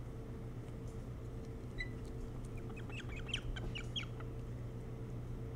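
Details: Osprey at a nest on Hog Island near Bremen, Maine, caught by a nest camera in the early morning of 3 July 2018: a short cluster of high, sharp chirping notes around the middle, over a steady low electrical hum.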